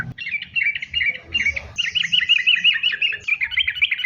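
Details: Sooty-headed bulbul singing actively in a continuous 'sambung ropel' chained style, used as a lure to make other bulbuls sing; bright chattering notes, then a fast run of looping down-slurred whistles with faint low rumble beneath.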